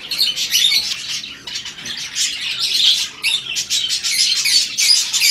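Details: Budgies mating in the breeding season give busy, high chattering bursts of chirps and squeaky warbles, pausing briefly around two seconds before resuming.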